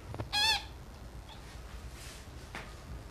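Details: A 4-day-old grey parrot chick being hand-fed gives one short, loud, nasal squawk with a honking tone; faint clicks and handling noises follow in the quiet background.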